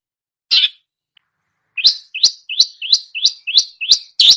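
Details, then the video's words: Long-tailed shrike mimicking songbirds, giving one high chirp, a pause, then a rapid series of upward-flicking whistled notes about three per second. "masteran cendet menirukan semua jenis burung kicau"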